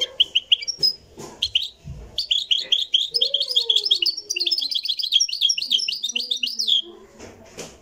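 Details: Moroccan goldfinch recorded live: a few clipped chirps, then a sustained run of fast, liquid twittering and jingling trills, with a faint lower whistle and a few soft knocks.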